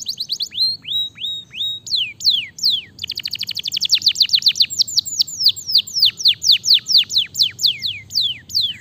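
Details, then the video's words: Canary song played as a lure to get a bird that has stopped singing to sing again: rapid series of high downslurred whistled notes, roughly four per second, with a brief fast trill in the middle. "Pancingan AMPUH Kenari Macet Jadi Gacor Lagi"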